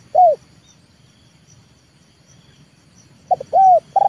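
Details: Spotted dove, a trained leopard-type decoy, luring wild birds to the yard: a single arched coo, a quiet pause, then a stuttering phrase with a long bowed note, with soft ticking in the background.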